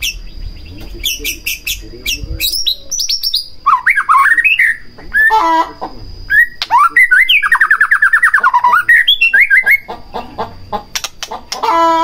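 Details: White-rumped shama singing, a lure to draw song from another shama: rich varied whistles, sharp high clicks and a fast rattling trill of repeated notes, with a thin high tone in the background.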